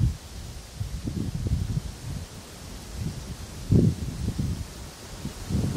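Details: Low rumbling wind buffets the microphone, with rustling leaves rising in bursts and no animal voice heard.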